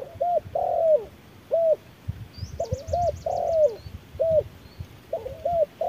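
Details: Spotted dove decoy dueling a wild dove in harsh midday sun: steady alternation of short clipped coos and longer descending notes, with a rapid high trill from another bird in the middle.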